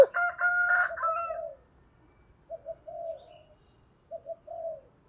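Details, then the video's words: Spotted dove in the deep 'thổ' voice style, giving the calling and urging coo used as a lure to make wild doves coo. A loud, harmonic, drawn-out call opens, followed by two low, throaty coo phrases, each of short notes ending in a longer one. "cu gay giong tho cuc dinh, tiếng gáy gọi và thúc"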